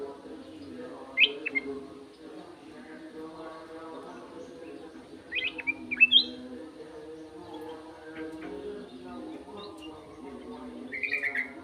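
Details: Sooty-headed bulbul giving scattered phrases of quick, slurred whistles, the loudest burst near the middle and a softer one at the end, separated by pauses, with a continuous low droning hum beneath.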